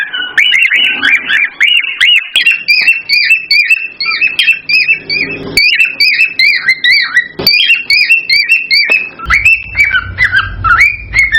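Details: Cockatiel song used to stimulate mating: a dense, continuous stream of loud, looping whistled and warbled phrases, with repeated rising and falling notes and a low rumble in the last few seconds.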